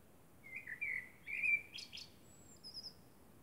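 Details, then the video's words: A common blackbird singing at night under the moon gives a brief, mellow fluted phrase ending in a high, squeaky twitter, over a soft, steady background hiss. "Blackbird sings"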